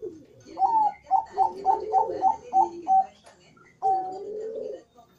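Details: In the morning, a zebra dove (Geopelia striata) calls continuously: a soft low coo, a quick run of about eight clipped, bubbling notes, then a longer rolling coo, in a small echoing room.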